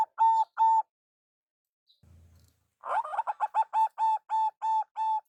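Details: Zebra dove, local perkutut, heard as a lure call: two clear hoots, a faint low rumble, then a quick jumble of coos settling into about eight slow, even, ringing notes.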